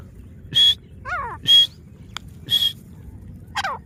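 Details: Grey francolin (desi teeter) from Layyah, Punjab: loud, harsh, rasping call notes repeated about once a second, alternating with quieter downward-slurred notes, over low background rumble.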